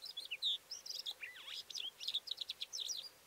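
A Calandra lark pours out a fast, unbroken jumble of high chirps, trills and slurred whistles, with a few lower swooping notes, against quiet background.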